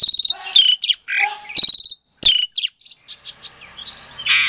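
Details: Song of a captive-bred Asian pied starling from Klaten, Indonesia, meant as a lure to stir silent starlings: rattling harmonic chirps and harsh buzzy phrases in quick bursts, a sharp click, then softer scattered whistles.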